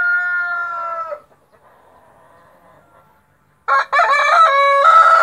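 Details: Crowing white splash Brahma rooster: the drawn-out tail of one crow fades, a quiet pause follows, then a fresh loud crow bursts in with stuttered opening notes before a sustained tone.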